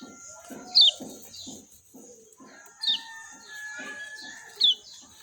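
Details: Lemon-bellied white-eye from Lombok giving three sharp, high descending chirps spaced about two seconds apart, over a steady hiss and soft low rhythmic dripping or splashing in the background.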